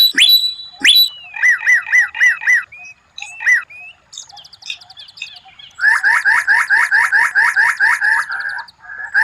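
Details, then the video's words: Murai batu (white-rumped shama) tutor song of rare phrases, said to impress rivals in contests: two sharp high notes, then runs of quick repeated downslurred whistles, a thin high trill and a long fast series of rhythmic chirps. "Masteran murai batu tembakan langka, suara aneh tapi memukau lawan"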